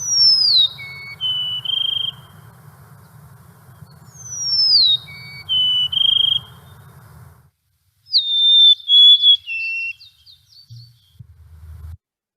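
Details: Golden-crowned sparrow, a winter visitor in the valley, sings twice: a clear whistled phrase sliding downward into a steady lower note, over a low hum. A different, jumbled sparrow song follows.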